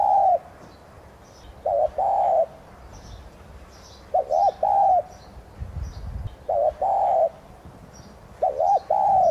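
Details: Spotted dove, tigrina subspecies, calling as a decoy to stimulate singing; four phrases of clipped double coos ending in a longer smooth note, separated by pauses of about two seconds, distant small birds chirping faintly.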